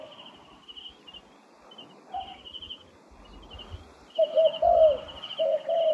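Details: Wild turtle dove, trapping context; faint coos early, then a louder run of soft hollow cooing notes with a slurred drawn-out phrase near the end, a high buzzing insect drone throughout and some low thumps.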